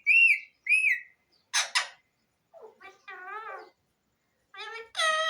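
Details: Pahari tota parrot giving two clear whistles, a double harsh squawk, then wavering speech-like harmonic syllables ending in a drawn-out call.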